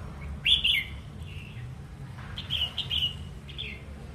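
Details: Wild-caught caged red-whiskered bulbul, described as singing eagerly, gives short bright warbled phrases that rise and fall, one around half a second in and a pair of phrases later, over a low background hum.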